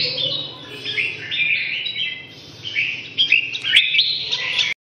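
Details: Clear whistled phrases from a red-whiskered bulbul, a few held tones and quick upward slurs, ending in a brighter flurry of notes before stopping abruptly, low hum behind.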